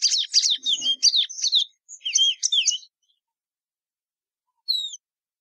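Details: Plumbeous seedeater song: a fast burst of buzzy, twittering notes lasting under two seconds, a shorter second phrase, then silence broken by a single downslurred whistle.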